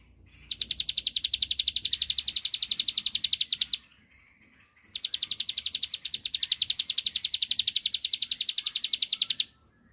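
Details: Two long bursts of quick, metallic, high-pitched chipping from a bar-winged prinia, each lasting about three to four seconds with a short pause between. The song is sung to provoke an opposing bird into answering.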